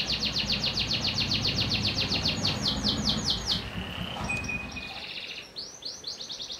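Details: A panda canary delivers a fast, high trill that slows slightly, then breaks into a short pure whistled tone, a brief thin note and a fresh burst of rapid trilling, with a soft low rumble beneath.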